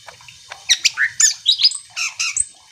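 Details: Greater green leafbird singing to provoke other leafbirds: a short phrase of harsh, squawky and buzzy notes mixed with higher chirps, about a dozen elements in under two seconds.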